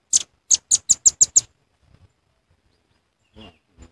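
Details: Velvet-fronted nuthatch lure call used for bird trapping: a quick series of seven very high, sharp ticking notes within about one and a half seconds, then near silence with a couple of faint soft noises.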